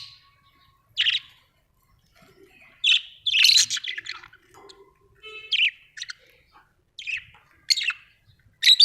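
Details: Home budgerigars calling in separate bright chirps and short raspy bursts, about one every second or so, with a brief louder cluster of chatter midway and quiet between notes.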